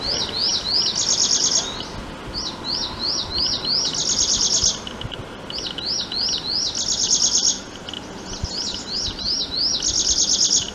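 A prinia repeats a high phrase about every two and a half seconds: four or five quick rising notes, then a sharp, buzzy trill.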